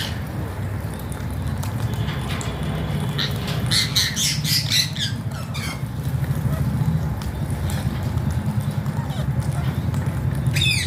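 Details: Alexandrine parakeet, called pahaadi tota, giving a cluster of harsh, raspy squawks in quick bursts midway, then a sharp rising squawk at the very end, over a constant low rumbling hum.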